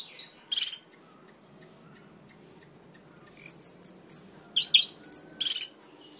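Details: Orange-headed thrush, male song used to provoke other males: short bursts of varied whistled and harsh phrases, a pair of notes at the start, then a rapid sequence of slurred, descending whistles after a pause.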